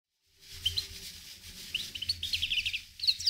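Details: Himalayan goldfinch singing a quick, high twittering run of thin tinkling notes and brief trills, dense for about three seconds after a short silent start, with a faint low hum underneath.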